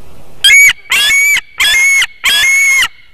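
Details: White-tailed eagle screaming at a nest in Latvia at 7:06 am on 17 August 2018, as the female rushes in to grab a fish her mate delivered; four loud, harsh, high half-second screeches in quick succession over a faint steady whine.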